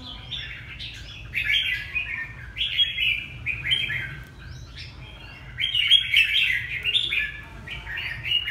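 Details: Red-whiskered bulbul from Hà Tĩnh, Vietnam, pouring out a run of cheerful whistled and chirped phrases, repeated in bursts about every second or two.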